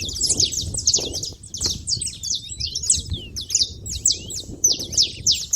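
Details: Several saffron finches noisy at a feeding spot, giving continuous bright high chirps and quick slurred notes in a dense chattering run, with low background rumble throughout.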